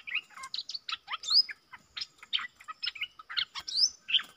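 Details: A clever wild bulbul with a big voice trading songs with a caged lure bird: dense, lively chatter of short whistled and warbled notes, with swooping upslurs, delivered without pause.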